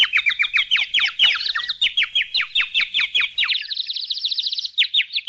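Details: Yellow pet budgerigars, being fed at home, chirp in rapid, scratchy bursts, ending in a sustained warbling trill.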